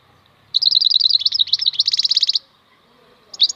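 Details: Maknine khalwi, the European goldfinch, sings a two-second phrase of rapid tinkling notes running into a steady buzzing trill, followed by silence and a fresh twitter.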